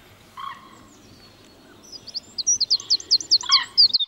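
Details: Common kingfisher pair looking for a nest site: after a short lower rasping note, a quickening series of thin, high-pitched whistled notes, about two to three per second, running into a rapid trill.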